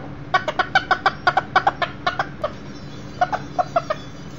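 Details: Chickens kept in a house with a visiting one-year-old Millefleur d'Uccle rooster, broody hen and chicks, 7/6/13: brisk series of about fourteen short clucks, then a pause and a few slower ones.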